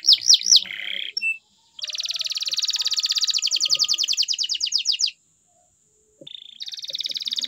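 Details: Canary in full song: swooping whistled notes, a buzzy tone, then a long even trill of rapid pulses, a pause, and a second trill starting near the end.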